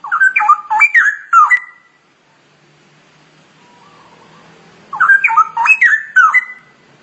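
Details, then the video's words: Cucak rowo, or straw-headed bulbul, singing masteran-style: two bursts of loud, bubbling, tumbling whistled notes roughly five seconds apart, separated by near silence with a faint low hum. "Kicau Cucak Rowo Ngoceh Masteran"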